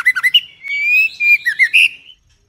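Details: Female white-rumped shama giving a short run of bright whistles: quick looping notes, a long steady whistle, then more slurred notes ending on a rising phrase.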